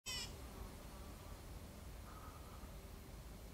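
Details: A Black bulbul in Hong Kong gives one harsh, nasal, cat-like mew, then two fainter thin notes, over steady low rumbling background noise.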